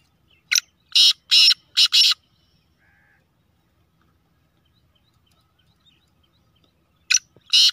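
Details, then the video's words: A fast-calling black francolin of the Sheedi Gangas nasal type delivers a loud, rasping five-note phrase: a short lead note followed by four grating bursts, then silence before the phrase starts again with two more harsh notes. "Speeder Kala Teetar Chakri Wala Teetar Beautiful Kala Teetar Sheedi Gangas Nasal"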